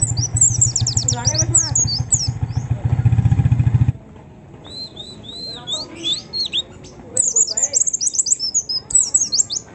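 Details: White-eye song used as a lure to make other white-eyes start singing: very high, rapid, sharply descending chirped notes in dense bursts, under a loud low motorcycle engine rumble for the first four seconds, then clearer.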